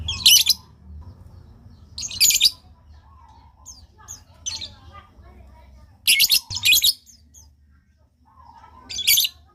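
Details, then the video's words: Lovebird calls used to prompt other lovebirds to answer: loud harsh shrieking bursts in pairs, spaced a few seconds apart, with faint low hum and a few soft chirps between. "pancingan love bird buat para pemula di jamin langsung nyautt"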